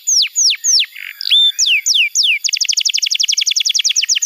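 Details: Canary training song for juvenile birds that have stopped singing: loud falling whistled notes with a brief rising slur, then a quick, regular trill of short repeated notes.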